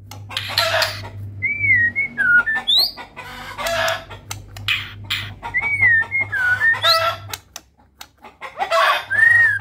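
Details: Medan white-rumped shama, a murai batu in vigorous 'gacor' song packed with 'isian' phrases: clear looping whistled slurs that rise and fall, alternating with bursts of harsh, scratchy chatter, over a constant low electrical hum.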